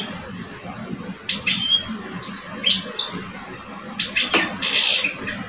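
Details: Two caged European goldfinch males, one mature, one two years old, sing against each other. Short phrases of high twittering and a buzzy rattle appear in scattered bursts over steady background noise.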